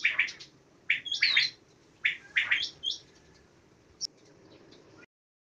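Quail giving short, bright, liquid call notes in quick clusters of two or three, with pauses of about a second between groups; a faint background hiss throughout.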